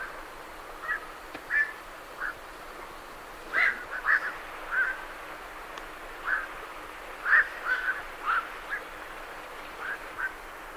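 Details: As night herons leave their roost, their clipped croaks come irregularly, singly and in quick clusters, while great reed warblers chatter steadily behind them.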